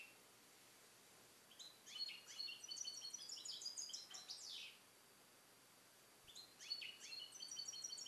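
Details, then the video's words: European goldfinch hatched in captivity in 2021 and educated in Neapolitan-style song, caged alone in a carrier; a burst of rapid high twitters ending in a descending buzz, silence, then another twittering phrase, soft background hiss. "Cardellino Passata Napoletana 2021 - KH24 - European Goldfinch - Jilguero cate limpio"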